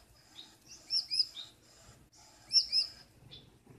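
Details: Female Gouldian finch, hidden in the nest at night, scolding her blue male before letting him enter; two bursts of high, quick double chirps about one and a half seconds apart.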